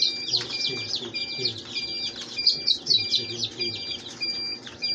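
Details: Newly hatched Rhode Island Red chicks peeping constantly, a dense chorus of thin, high, downslurred cheeps from several birds over a steady faint electrical hum.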